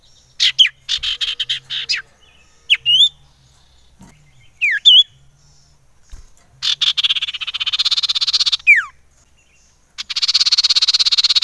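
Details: Common iora used to provoke other ioras: scattered short upswept and downswept whistles, then long buzzy rattling trills broken by a single falling whistle.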